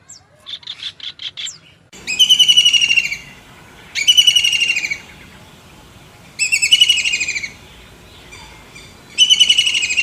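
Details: Kingfisher giving a series of fast rattling calls: a few short high notes at the start, then four separate bursts of quick, shrill, repeated notes about every two seconds, with faint chirps between them.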